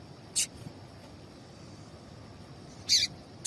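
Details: Two brief, high, squeaky chirps from a female papa-capim seedeater, the call used to get males singing, separated by a long pause, with a thin steady high tone and soft background noise.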